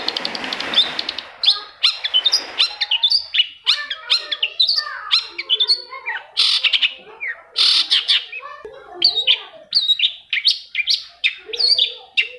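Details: Long-tailed shrike singing to coax silent shrikes into song: a dense, varied, continuous stream of chirps, whistles, harsh squawks and rapid trills, opening with a noisy rasping burst.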